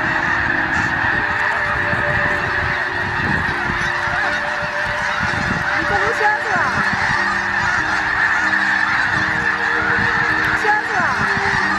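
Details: Snow geese in Richmond, British Columbia, Canada: a dense, continuous chorus of honking calls from many birds, overlapping nasal notes with no pauses, over a steady low rumble.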